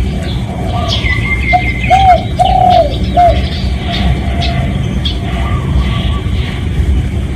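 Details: Spotted dove giving a real decoy call used to lure other doves: a short coo, then two longer, rounded coos and a final short one, mid-pitched and mellow, over steady low rumble with high chirps from other birds.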